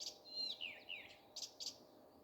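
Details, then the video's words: Common nightingale singing in the morning: a brief phrase of high whistled notes sliding downward, followed by two short bright bursts, with quiet background. "Nightingale singing. Утренее Пение Соловья."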